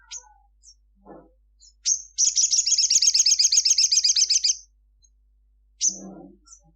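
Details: At midday a crimson sunbird sings vigorously, giving sharp high chips, then a long rapid trill of roughly twenty buzzy high notes lasting over two seconds. A final chip follows, with faint low rustling.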